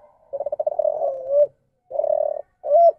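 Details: Spotted dove cooing in the deviant ndanglong style, a departure from the standard contest call. It starts with a rapid stuttering burble that smooths into a drawn-out hum, followed by a shorter burbling phrase and a clear, arched final coo.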